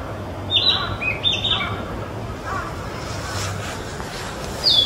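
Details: Young Narcissus flycatcher, still largely brown, singing in Mizumoto Park on 27 April 2023: a few short clear whistled phrases, rising and falling, in the first two seconds, then quiet with faint noise and a brief high note at the end.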